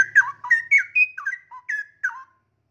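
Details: Straw-headed bulbul, a caged male kept in song, with new tail feathers just growing. It delivers a rich burst of gurgling, whistled notes in rapid sequence, rising and falling, with short gaps between bubbly phrases.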